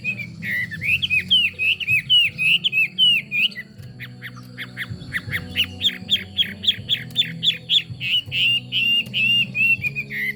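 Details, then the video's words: Chinese hwamei delivering a long, rich song, first a series of looping, twisting whistles, then a rapid train of sharp, clear notes repeated several times a second, over a constant low droning hum. "Họa mi hót"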